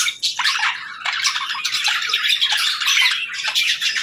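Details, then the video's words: Budgerigars chattering at morning feeding time, a dense, continuous wash of scratchy, buzzy chirps and warbles from several birds at once, with no clear pauses. "Good Morning Birds Chirping | Budgie Feeding Time"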